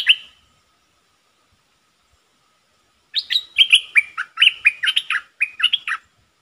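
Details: Puff-backed Bulbul used as a decoy, singing strongly: one note, a silence of almost three seconds, then a lively three-second string of about a dozen bubbly, downslurred chirps in quick succession.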